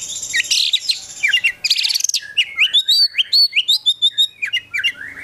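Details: Kept Oriental magpie-robin, called kacer, singing nonstop gacor song full of isian; harsh buzzy opening notes give way to a fast, evenly spaced series of short bright chirps and whistles.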